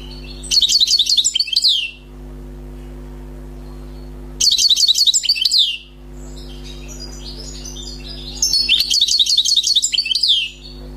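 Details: Freshly trapped wild European goldfinch giving three short bursts of fast tinkling twitter, each about a second and a half long, spaced roughly four seconds apart, over a constant low hum.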